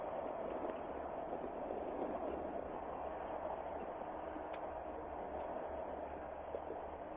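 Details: Continuous low hum and broadband background noise, with one faint click and no animal calls.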